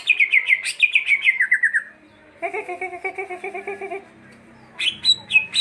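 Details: Greater green leafbird delivering a fast run of descending, slurred whistled notes, then a stretch of rhythmic, lower harmonic chattering, ending with sharp high whistles.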